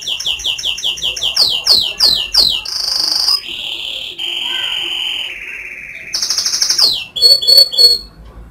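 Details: Varied canary song: quick descending sweeps repeated in series, long held whistles at shifting pitches, a lower drawn-out tone, then renewed sweeps and short trilled phrases, loud and clear.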